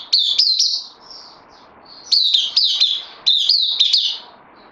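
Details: A bulbul kept in captivity and newly arrived on loan, recorded 12 September 2020, sings three loud clusters of quick, high, slurred chirps, each note flicking up then dropping, with a softer trailing whistle and brief silences.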